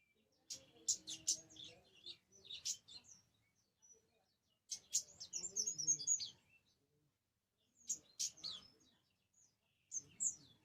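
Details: Orange-headed thrush song in four separate bursts of high chirps, trills and whistled notes with short pauses between them. Faint low murmuring sits under the phrases.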